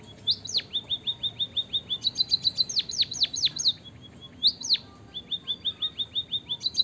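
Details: Munia lure song for prompting lazy birds: repeated short falling whistles in steady series, broken by clusters of loud, sharply descending high notes, the pattern recurring through the phrase.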